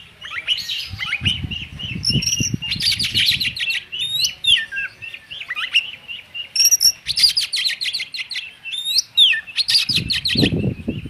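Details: An Oriental magpie-robin pours out rich, varied song with whistles, chatters and rapid trilled bursts almost without pause, with low rumbling noise at times.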